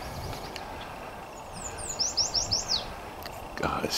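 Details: A male Yellow Warbler sings from the top of the canopy by a pond at Sspopiikimi at about 9:30 am on 29 May 2022, a new spring arrival. It gives a quick series of about five high, sweet, slurred notes that rise and accelerate, over a low hum.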